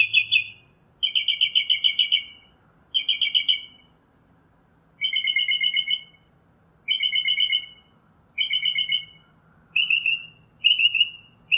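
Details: Northern Mockingbird song in nature: rattling, rapidly pulsed phrases of varying length, some long trills and some short bursts, separated by brief silences, with a faint low hum behind.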